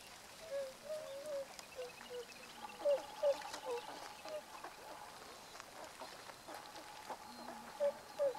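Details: Tundra swans recorded on 1 January 2014, with adult calls of two types and juvenile calls noted: mellow, hooting notes repeated irregularly, several overlapping, some louder and nearer, over a steady murmur of distant birds.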